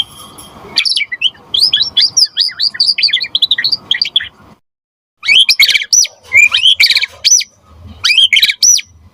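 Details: Energetic white-rumped shama song used to get other shamas singing and to tutor them: dense runs of quick chips and whistles, a brief silence, then loud looping phrases.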